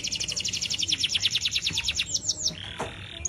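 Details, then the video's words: Uncaged Atlantic canary in full song, used as a master song for training other birds: a long, fast, rhythmic trill of repeated bright notes, then a few slower sweeps and a buzzy note, with low background rumble. "burung kenari gacor tanpa sangkar cocok untuk masteran"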